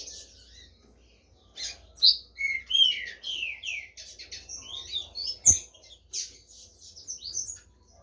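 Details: Green-winged saltator singing during a Brazilian song competition: a series of loud, slurred whistled phrases in quick succession, amid steady high chirping from other competing birds and a single knock.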